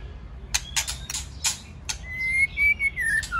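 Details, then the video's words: White-rumped shama pair, male with female singing, meant to stimulate singing: scattered sharp tack clicks at first, then a long smooth whistled phrase slowly rising and falling. "Chòe lửa hót . Chòe lửa[ TRỐNG TẠCH KÈM MÁI HÓT ]"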